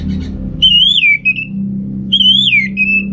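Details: Orange-headed thrush (Geokichla citrina) singing to stimulate males lacking breeding drive; two clear whistled phrases, each rising then dipping and ending in a level note, about a second and a half apart, over low traffic rumble.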